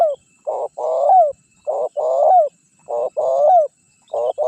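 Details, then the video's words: Rhythmic spotted dove cooing used as a lure for wild birds: four paired phrases, each a clipped low note followed by a longer rolling coo that falls at the finish, repeated steadily about every 1.2 seconds. "Suara Pikat Terkukur Gacor Juara 1 Untuk Pancingan Cepat Bunyi"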